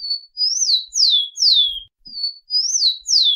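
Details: Rufous-collared sparrow singing: clear whistled notes, each rising then sliding down, in a short phrase of three or four slurred whistles, repeated after a brief pause, with a quiet background.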